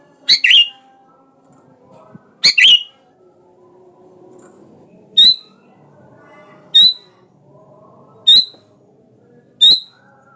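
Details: Sooty-headed bulbul calling a rival to make it sing: two harsh doubled chirps, then four clearer single piping notes repeated roughly every 1.5 seconds in a quiet setting.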